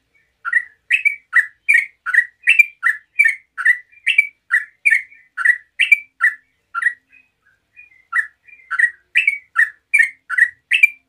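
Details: Yellow-vented bulbul singing a long 'ngeropel' run to prompt other bulbuls to sing: quick, repeated chirps that swing up and down in pitch, broken by a brief pause before the run resumes.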